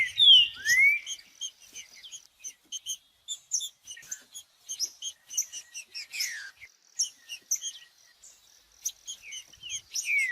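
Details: Captive green-winged saltator song played to warm up other birds kept for singing tournaments: loud downslurred and upslurred whistles open the phrase, followed by a dense run of high, short chips and ticks, with other similar birds chirping throughout.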